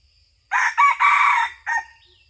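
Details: Close, loud red junglefowl crow from a 2022-2023 decoy hunt. After a moment of quiet it bursts into a rasping call of three joined parts and a short final syllable, ending abruptly. A faint high insect tone sits behind it.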